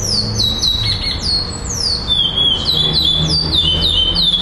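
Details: Black male Chestnut-bellied seed finch at a December 2011 singing contest in Florianópolis, Brazil, placed second. Pure whistled notes drop in pitch one after another in quick succession, forming a repeated phrase with faint background murmur.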